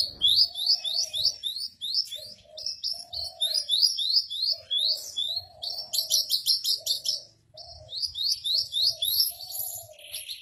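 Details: Javan bush lark in captivity, steadily singing on a stone in a long rolling song. Quick, rising, high whistled notes are repeated in rhythmic strings, over a low, soft cooing in the background.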